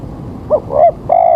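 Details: Spotted dove call used as a lure for bird trapping early in the morning, with rain about to fall: three low, hollow coos, a short first note, then a longer one and a drawn-out final coo, over faint rumbling background.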